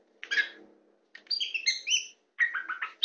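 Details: Tame white-rumped shama perched on a hand, giving short song phrases: a harsh chirp, then clear sliding whistles and a quick descending run of notes.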